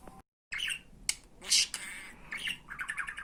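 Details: Pet budgerigar talking after a brief cut of silence: raspy imitated syllables, a loud hissing squawk, then a run of quick warbling chirps near the end.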